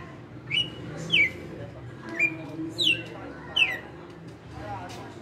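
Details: Caged red-cowled cardinal, a veteran kept for five years, singing in the açoite style: five sharp, bright whistled notes, each a quick downward slur, spaced roughly every half to one second over a low background hum.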